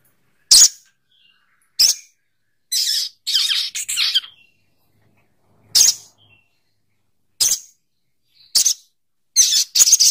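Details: Sogok ontong bird calling: harsh, hissing high bursts, some single and some doubled or rapid clusters, spaced irregularly with silent gaps between.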